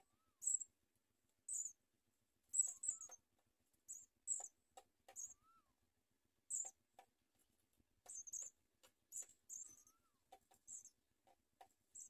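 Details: House sparrow nestlings clamouring as their mother feeds them; scattered bursts of very high, hissing chirps at irregular gaps of one to two seconds, with soft clicks and a faint short whistle between.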